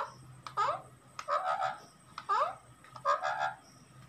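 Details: Lovebird calling in four raspy, chattering bursts. Each has sharp upward-sweeping notes followed by a buzzy squawk, with short quiet gaps between and a low hum in the background.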